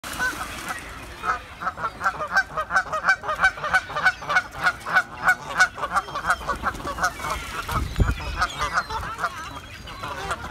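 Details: Canada geese honking at each other: a fast, sustained chorus of loud nasal honks, about three per second, overlapping one another, with a brief low thump near the end.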